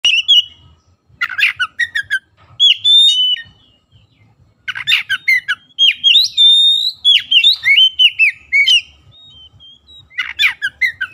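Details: Oriental magpie-robin song, meant as a lure to get quiet, sluggish magpie-robins singing loudly: bursts of clear whistled notes, rising and falling slides, and harsh chattering squawks in rapid, irregular phrases separated by short pauses.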